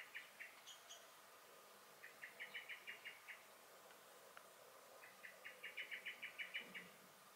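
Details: Blackbird (Turdus merula) giving alarm calls in a garden in May 2021; repeated bursts of sharp, metallic chink notes, several per second, in groups of six to ten, with a brief high note near the start.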